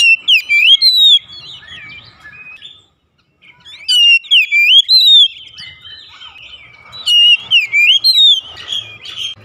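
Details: Kept oriental magpie-robin singing to stimulate birds that rarely sing; varied whistled phrases of swooping notes mixed with high thin chips, in three loud bursts separated by pauses.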